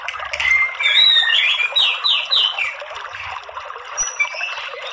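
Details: White-rumped shama lure song to provoke male fighting song: a cascade of falling whistled notes, high thin squeaks, then quieter scattered whistles.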